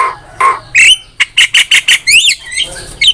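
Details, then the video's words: Master recording of a Javan myna used to tutor songbirds. Two low nasal notes lead into a row of short loud squawks and one rising whistled note, all closely spaced. "MASTERAN JALAK KEBO GACOR"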